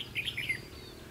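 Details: Red-whiskered bulbul recorded during a trapping session on 22 October 2016. One brief phrase of four or five quick, bright warbled notes, then a soft low hum.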